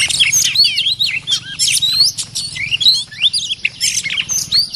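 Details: Territorial oriental magpie-robin in Thailand reacting to a caged lure bird during trapping: continuous bright whistles, upswept and downslurred notes and quick trills in a rich, rambling stream, with a steady low hum underneath.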